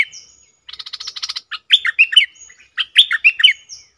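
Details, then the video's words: Double-style song of a cream-vented bulbul from June 2021, opening with a fast pulsed buzzy trill, then quick descending whistled notes repeated in two choppy phrases. "เสียงนกดอกแตงEp.59 Birds sounds เพลงเบิ้ลของเจ้าเพชร!!Merbah lekir gacor"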